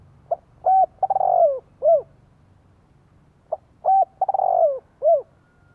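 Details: Spotted dove lure bird cooing to provoke wild doves into answering: a phrase of a short note, a clipped coo, a stuttering rolled coo and a final falling coo, repeated twice about three seconds apart.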